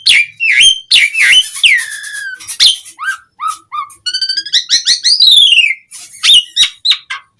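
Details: Asian pied starling song used as a lure to draw other starlings into replying: a fast, varied run of loud whistles, downslurred notes and buzzy chatters, then a series of rising clear whistles and a long descending slurred phrase.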